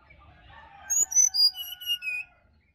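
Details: Bali sirdadu in the wild forest, a morning lure recording: bright whistled notes tumble downward in about six quick steps, with faint lower chirping of other birds beneath.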